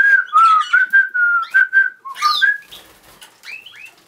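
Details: Pet cockatiel whistles clear, steady notes in a short run, then gives a few rising chirps as the phrase fades.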